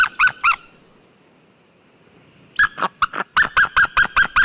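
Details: A White-tailed eagle (Eurasian sea eagle, Haliaeetus albicilla) calls: two loud yelping notes, a pause, then a quick run of about nine ringing, evenly spaced yelps, with little else heard; White-tailed eagle.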